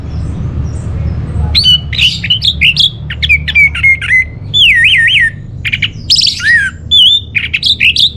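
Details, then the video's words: Song of an orange-headed thrush, used as a lure and master song for caged birds. Loud whistled phrases change pitch: a wavering trill, downslurs and sharp squeaks follow each other quickly after a quiet start, with a low background hum. "Bikin Geger ANIS MERAH Dirumah Pasti Gacor || Pancingan sekaligus Masteran Burung Punglor"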